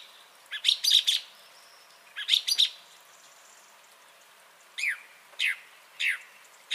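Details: Song thrush song from 30 January 2021: a sharp clustered phrase delivered twice, then a pause followed by three clear downslurred whistles spaced evenly, against near silence.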